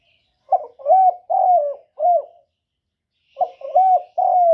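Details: Decoy spotted dove giving calling, cooing and urging calls meant to lure wild doves. Two loud phrases of deep, slurred coos, three to four notes each, with the middle notes drawn out. Short silence between phrases; faint high bird chirps behind.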